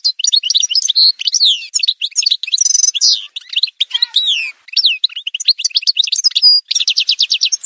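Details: Algerian goldfinch, subspecies parva, in an edited song montage: dense high twittering with fast buzzy trills, sliding whistles and rapid ticking runs, brief pauses between bursts.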